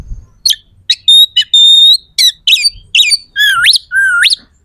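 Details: Oriental magpie-robin singing to goad other magpie-robins into a fight. Sharp chips and a long steady high whistle lead into wavering phrases, then two loud looping whistles that dip low and rise steeply.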